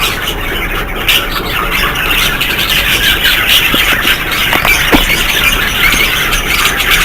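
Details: Flock of budgerigars in a bird setup, a continuous mass of chirping and scratchy warbling chatter, with a few sharp clicks and knocks scattered through.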